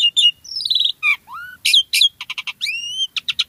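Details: Jalak suren (Asian pied starling) song: bright chirps, a descending whistled run, up-slurred whistles, a burst of rapid clicking notes and rising sweeping whistles, with no other sounds.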